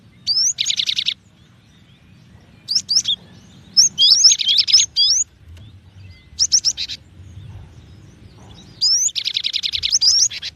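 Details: Cinereous tit giving short clusters of high, clear two-note whistles mixed with harsh, buzzy rattling bursts, in roughly five bouts separated by brief pauses, over a faint low background hum.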